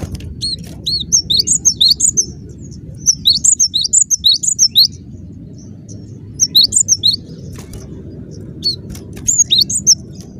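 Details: Cinereous tit with energetic, dense song given in four short bursts of rapid high whistled notes, each burst a few quick alternating pairs, separated by pauses, above a steady low background drone.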